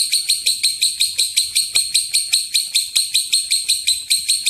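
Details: Long ngekek from a lovebird, used to prompt other lovebirds into calling, with around a dozen harsh high chirps delivered in a fast continuous chain.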